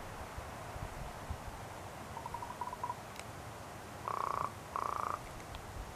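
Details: A common raven, hoping to be shared a snack, gives a soft, quick run of knocking notes, then two drawn-out nasal calls of under half a second each, over a quiet hiss.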